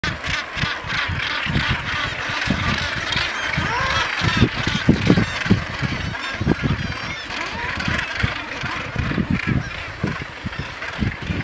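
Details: Common murres at a crowded breeding colony on Helgoland, with a few razorbills and a kittiwake among them; a dense, continuous chorus of harsh, growling calls with low pulsed grunts overlapping throughout.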